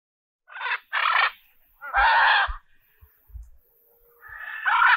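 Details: Zoo macaw gives three loud, harsh, raspy squawks, each under a second long, separated by short pauses.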